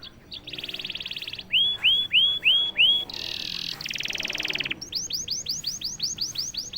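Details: Canary that bursts into song after a single prompt, delivering varied phrases: a buzzy trill, several loud looping whistles, another rapid buzzy rattle, then a quick series of repeated arching notes.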